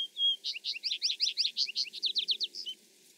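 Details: Vesper Sparrow (Pooecetes gramineus) song, similar to a Song Sparrow's but lower: two clear opening whistles, then a rapid jumble of descending slurred notes and trills, high and sweet, over about three seconds.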